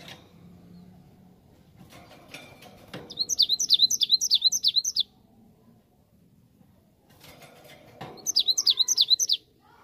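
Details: Cinereous tit song played as a lure to make wild birds answer: two bursts of rapid, high, repeated two-part notes, each dropping then rising, about ten per burst, separated by quiet with faint background clatter.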